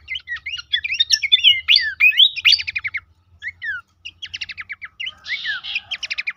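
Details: Tutor recording of Horsfield's babbler (pelanduk semak) meant to keep birds active and vocal: a tangle of fast chirps and slurred whistles, a short pause, then quick rattled note series and a buzzy burst.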